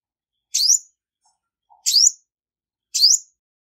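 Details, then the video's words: A female olive-backed sunbird, whose song is described as used to stir males, gives three high, thin, sharp chirps about a second apart, each a quick down-then-up squeak, with quiet otherwise. "Tiếng chim Hút mật 5 màu mái không tạp âm | Olive-backed Sunbird Female | นกกินปลีอกเหลือง"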